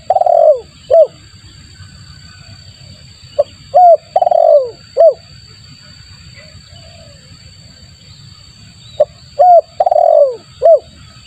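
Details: Spotted dove coos played to lure other doves: three phrases of short coos ending in a long burred, falling coo, with quiet gaps of several seconds between them. Steady low rumble and a high electronic whine.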